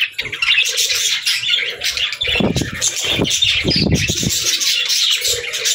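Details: In the evening, budgerigars flutter and chirp. Ongoing high, scratchy chatter is broken by bursts of flapping wings and rustling thumps in the middle of the recording.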